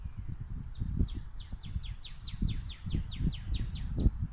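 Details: Female northern cardinal singing a rapid series of clear, sharply downslurred whistles, about four each second and evenly repeated, with constant low rumbling and rustling noise underneath.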